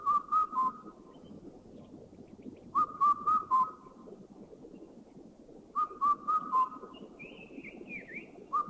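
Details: Indian cuckoo from a collection of Thai bird recordings: clear whistled four-note phrases, the last note lower, repeated about every three seconds, with a faint higher wavering bird call in the background.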